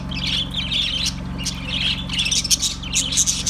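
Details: Budgerigars chattering together in a busy stream of squawks and chirps, with short squeaky notes and warbles overlapping almost without pause, over a low steady hum.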